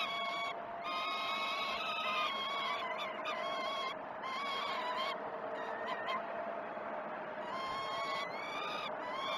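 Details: Peregrine falcon chicks at Great Spirit Bluff during one of the first two feeds, 12 June 2018: a run of harsh, overlapping harmonic begging screams with a few upward-sweeping notes and a constant humming tone.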